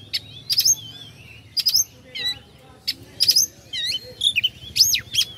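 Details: Kept oriental magpie-robin singing to rouse rivals: sharp high whistles, looping sweeping notes and short trills in separate bursts, with faint background murmur.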